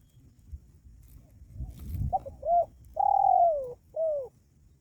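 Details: Spotted dove lure call meant to draw wild doves close: after low rumbling noise, a short double coo, then a long, rich, falling coo and a final shorter descending coo.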